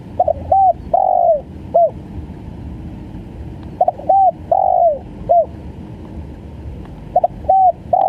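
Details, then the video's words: Tekukur or spotted dove repeating a stammering coo sequence three times, each with stutter notes, a short coo, a long downward-curving coo and a clipped closing note, over soft low noise. "SUARA TEKUKUR||GAGAP FUL"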